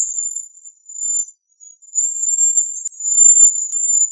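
Bohemian waxwing giving very high, thin, ringing trills, drawn-out sibilant notes broken by brief pauses. No other sounds.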